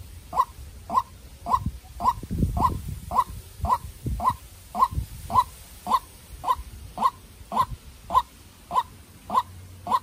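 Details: Young decoy White-breasted waterhen, bred in captivity, in a fierce bout with a wild bird: a monotonous series of about eighteen short notes, one roughly every 0.55 seconds. Low thumps and rustling are heard early on.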